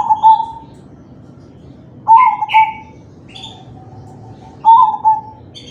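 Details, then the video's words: Kalung tempuk crossbred zebra dove cooing as a prompt for other doves to sing: three low pulsing coo phrases roughly two and a half seconds apart, one introduced by two quick buzzy higher notes; light chirping from other birds. "Suara perkutut crossing manggung"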